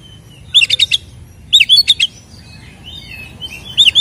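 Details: Oriental magpie-robin fighting song, ngeplong style, meant to provoke rival birds: two quick bursts of four or five sharp looping whistles, then softer warbled phrases and a final curl.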